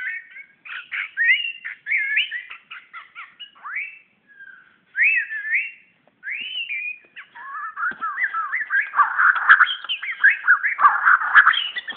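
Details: Singing at a mirror in Brunei in 2013, a magpie-robin delivers crisp, separate whistled phrases with short silences, then breaks into a denser, faster jumble of warbles and chirps.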